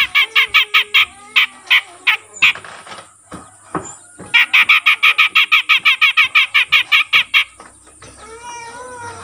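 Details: Young, untrained grey-cheeked bulbul that has begun calling readily. It gives long runs of rapid, harsh chattering notes, pauses with a few scattered squawks, then resumes the fast rasping series. Faint whistled notes close the passage.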